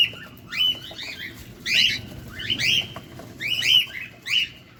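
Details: Cockatiel at feeding time, recorded close: groups of sharp, bright chirps repeated roughly every second, with quiet gaps between bursts.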